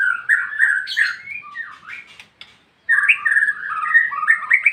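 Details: Varied warbling song of a white-rumped shama, with fluid whistled phrases and a higher squeaky note, broken by a short silence before a fresh burst of quick, tumbling notes.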